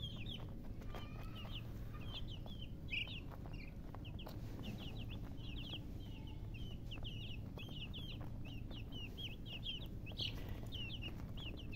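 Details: A flock of baby chickens chirping almost continuously, with rapid overlapping high peeps that fall in pitch, a few louder notes standing out, and a low rumble underneath.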